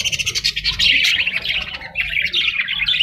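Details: Parrot calling with harsh, dense squawks and chattering bursts, loud and continuous with brief pauses, over a steady low hum.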